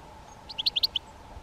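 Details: A single quick series of about six sharp, high, clipped notes from a Great spotted woodpecker (Dendrocopos major), delivered in under half a second over a low steady hum.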